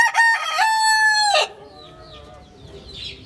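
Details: Rooster crow opening the recording, loud and harmonic with a few short clipped notes followed by a long steady held note ending near one and a half seconds, then faint chirping of small birds in the background.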